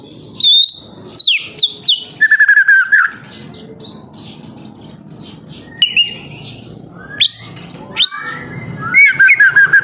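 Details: Lure song of a young white-rumped shama, meant to prompt other birds into singing: rich varied whistles, a burst of rapid repeated chips, sharp upward sweeps and trilled phrases separated by brief quiet gaps.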